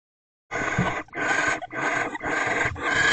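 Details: Owl pair in a nest box, mating on 20 January 2024 at 3:33 pm: harsh hissing screeches, about half a second each, in four or five close bursts with short gaps.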